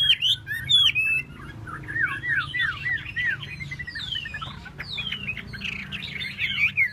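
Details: Chinese hwamei displaying with a fanned, dancing tail, singing varied whistled notes: clear downward slides, quick chattering twists and high sweeping phrases, with low background rumble.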